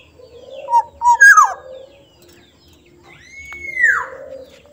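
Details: Sumbawa black-naped oriole, soft-voiced, gives a fluty phrase of two short notes ending in a downward slur. Soon after comes a long, smooth whistle that rises, holds, then falls.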